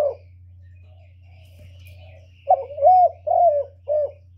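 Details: Spotted dove used as a lure bird, cooing to provoke wild doves: after a faint opening note and a quiet stretch, a quick series of four soft, rounded coos over a low steady hum.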